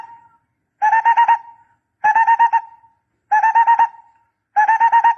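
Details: Decoy recording of a barbet giving rapid, hollow, pulsed hoots in tight groups of about six notes, repeated roughly every 1.3 seconds, four groups with silence between.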